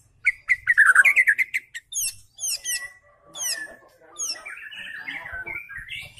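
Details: Young speckled 'trotol' white-rumped shama in a cage, singing often as a lure bird: quick run of sharp chipping notes, then repeated steeply descending whistled notes and a warbled, slurred closing phrase.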